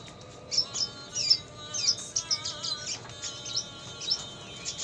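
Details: Red siskin on a tutor track for training songbirds, described as singing eagerly, with lovebird sounds mixed in; sharp, very high chirps and short twittering bursts come at an irregular pace over a faint steady tone.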